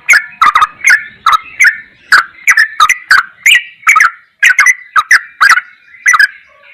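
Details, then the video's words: A Sooty-headed bulbul in a training recording of its busy clicking song gives a fast run of bubbly, clicking phrases, roughly two short bursts per second, mid-pitched with sharp edges, with no other sounds. "MASTERAN TRUCUKAN TERBAIK || ROPELAN GOKLIKAN"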